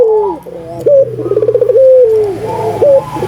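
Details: Barbary dove, albino, in strong song used to encourage other doves to sing: a falling coo, a short rising note, a rattling pulsed trill and another long gently descending tone, with a faint low hum behind.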